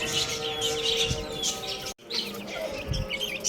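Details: Baby chickens playing and eating, giving a dense chorus of high, short peeps and downward-sliding chirps with a brief silent gap midway, over a steady low humming tone in the background.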